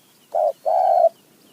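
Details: Low hollow cooing of a wild spotted dove responding to a decoy bird in highland forest: a short coo followed after a brief pause by a longer, even note, with faint high chirps far off.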